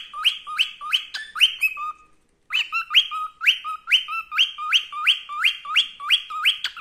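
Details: Male cockatiel singing his heart out in the "Wiko Wiko" song: a long series of rising two-step whistles, steadily repeated, interrupted once by a held whistle and a brief silence.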